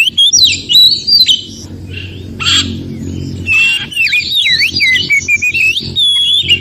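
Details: Forest-recorded Oriental magpie-robin whose song is played to rouse silent magpie-robins: bright swooping whistles, a pause with scratchy rasps, then rapid zigzagging whistled notes and a final long whistle.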